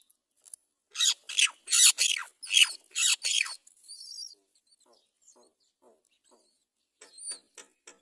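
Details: Great myna at a nest where a chick is about to fall out, the mother not rescuing it; a burst of loud, harsh, broadband screeching notes over about two and a half seconds, then quieter scattered ticks and a few thin high squeaks.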